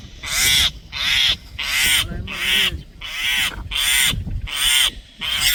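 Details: Common myna giving an alert call: harsh, grating bursts repeated roughly once a second, each a broad rasping note with strong upper tones, in a steady insistent series with little else heard.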